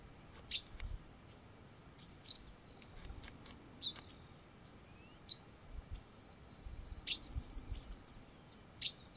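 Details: White-browed meadowlark (Sturnella superciliaris) gives sharp, high chips about every one and a half seconds, then a drawn-out buzzy wheeze near the end, over a low background rumble.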